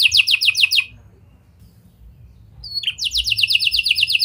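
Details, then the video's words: Canary with lovebird and prenjak style phrasing, used as a singing lure for other canaries: a short burst of sharp repeated notes, a quiet gap, then another fast high series. "Kenari Gacor Cengkok Lovebird & Prenjak! Ampuh Buat Pancingan Kenari Lain Agar Gacor Panjang"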